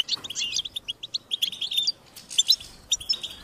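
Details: European goldfinch chicks begging their parents to be fed: bursts of high, insistent chirps and twitters, some notes sliding higher, in quick clusters with short pauses, several voices overlapping.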